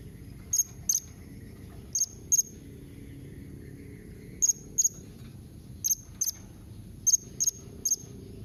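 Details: Blue-crowned hanging parrot calls used to prompt other hanging parrots to answer: very high, thin, sharp chirps in quick pairs, repeated at irregular intervals over a low background hum.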